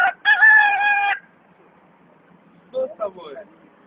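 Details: Crow imitating a rooster: one loud, harsh crowing phrase of about a second with a steady banded tone, then a pause and a short pair of softer, wavering rising notes.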